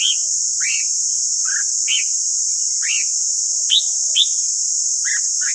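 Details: Red-whiskered bulbul singing for voice training of birds: loud, short whistled notes dropping in pitch, repeated roughly every half second to second, over a steady high hiss.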